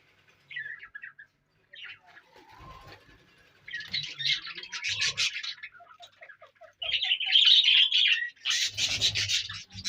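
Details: Budgerigar colony in breeding season with eggs hatching and new chicks: several birds chatter together in bursts of scratchy, buzzy warbles and sharp chirps.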